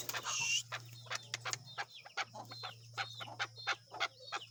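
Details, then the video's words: Outdoors, a tame male desi chukar utters spaced, sharp chuck notes after a brief hissing burst at the start, with a faint low hum running through. "Keklik Sesi || Chukar Desi Chakor ki Awaz"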